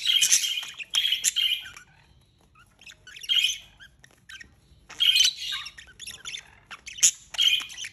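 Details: Two budgerigars mating early in the morning give bursts of scratchy, high chirps and chattering notes, separated by short pauses.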